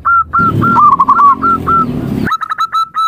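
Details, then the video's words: Short bursts of hooked, whistled coo notes and a brief trill from a zebra dove, the first part over a low rumbling noise that cuts off abruptly, then cleaner rapid notes. "Suara Panggilan Perkutut"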